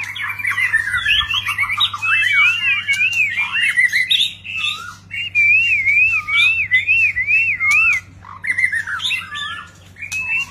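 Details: White-rumped shama singing while displaying, many varied notes: rich whistled phrases, rapid trills and wavering warbles repeated in bursts of several seconds with brief pauses, over a steady low hum.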